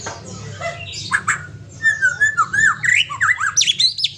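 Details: Aceh white-rumped shama with a companion bird: a few harsh notes, then a lively string of quick, bouncing whistles climbing higher and higher in pitch, over low background hum.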